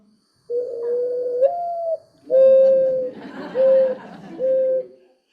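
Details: Mourning dove (Zenaida macroura) gives a low, hollow coo, one long note lifting at the end then three soft, even hoots, owl-like, over a faint room murmur.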